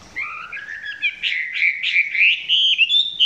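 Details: Chinese hwamei recorded up close, singing not yet at full intensity: a continuous warbled whistle, gliding upward with quick slurred notes layered on top.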